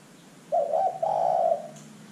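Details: Spotted dove coo played as a lure for other birds: one low, mellow phrase of quick stammering notes followed by a sustained rolling coo, clear and close, with light hiss behind.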